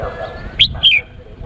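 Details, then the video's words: Male Cambodian red-whiskered bulbul calling a female, played to lure wild birds; two quick, clear whistled notes, the second slurring downward, stand out over low background noise. "CHÀO MÀO TRỐNG GỌI MÁI TIẾNG CHIM CHÀO MÀO CAMPUCHIA MỒI GỌI BỔI"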